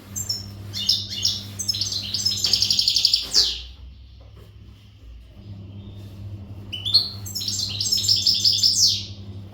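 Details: European goldfinch of the al-Gharb type, untutored and in breeding-readiness condition, singing powerfully: rapid, jangling high twittered phrases with buzzy trills, a pause near mid-clip, then another burst, over a steady low electrical hum.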